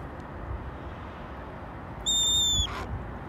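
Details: Wild male red-tailed hawk begging near a house while waiting to be handed raw chicken: one clear, high, whistled call, slightly falling and about half a second long, over steady low background hum.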